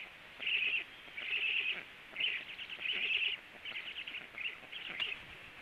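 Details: Two Black Storks at the nest, one landing, at 10:49: a series of rasping, wheezy high-pitched bursts of uneven length, roughly one per second, with faint crackling between them.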